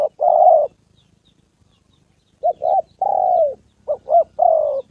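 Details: Caged decoy spotted dove in Gia Lai, Vietnam, confronting a wild male and a female during a September holiday trapping outing; a long falling coo, a pause, then quick clipped notes and more drawn-out descending coos.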